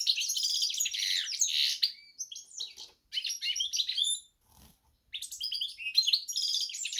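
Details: Hybrid of goldfinch and canary: phrases of fast, high twittering and short trills broken by brief pauses, with a faint low knock near the middle.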